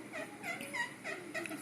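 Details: A female pet Indian ringneck parakeet, being petted and cuddled, mimics her owner's jungle sounds: a run of warbling, gobbling notes, about four bursts in under two seconds, rising and falling in pitch with a hoarse, nasal edge.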